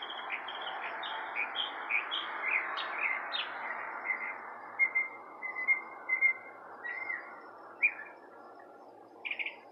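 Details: Birds chirping outside a porch with a series of short high notes, some sliding downward, later sparser sharp chirps and a final buzzy burst, over soft background noise.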